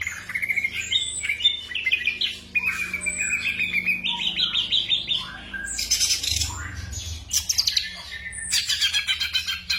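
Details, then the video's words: Black drongo song for night-time tutoring of caged songbirds: long run of rising and falling whistled notes, harsh buzzy bursts and rapid chattering notes; steady low hum underneath. "TERAPI SRIGUNTING MALAM HARI vol.02"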